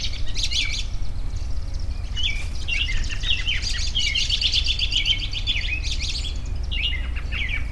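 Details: Several birds chirping together in a steady outdoor chorus of short, high twittering notes and quick trills, layered over a constant low rumble.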